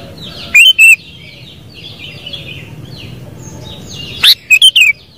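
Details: Sooty-headed bulbul singing two loud bubbly phrases. A pair of quick whistled notes comes early, then a rising note and three fast falling ones near the end. Soft twittering of other birds continues throughout.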